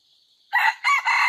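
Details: F2 jungle fowl under training, dated 5/9/2020, gives a loud rasping crow that begins after a quiet moment. A clipped opening note is followed by a short gap and two drawn-out harsh phrases.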